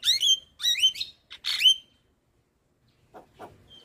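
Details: Javan myna, a white-eyed bird, heard in a recording played to prompt reluctant, lazy mynas to sing: three loud whistled phrases with harmonics sliding down then rising, then silence and two faint short notes.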